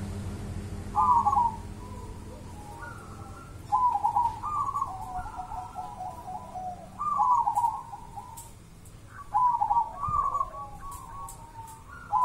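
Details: Wild local Javanese zebra dove singing: bursts of rapid, trilled, staccato cooing phrases that rise and fall slightly, repeated about every three seconds with quiet gaps between, over a faint low hum.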